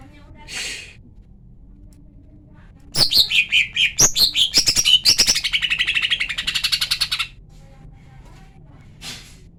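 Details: Calls of a female lesser green leafbird, used as a lure to provoke males into singing. A short hiss, then about four seconds of loud, rapid chattering: sharp notes running into a buzzy, fast-pulsed rattle before stopping abruptly.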